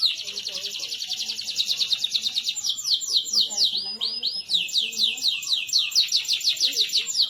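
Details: Canary singing as a lure for other canaries: a long fast rolling trill gradually turning into repeated downslurred sweeps and arched whistles, high and unbroken, with faint low chatter in the background.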